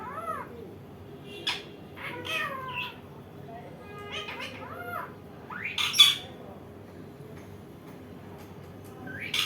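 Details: Indian ringneck parakeet chattering in short talky syllables and arched nasal notes, broken by harsh squawks, with a loud screech around the middle and a rising call at the end, in a quiet room.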